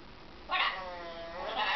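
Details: Blue-and-yellow macaw imitating a barking dog with one sustained, hoarse, bark-like cry that fades slightly, then swells again into a raspy note.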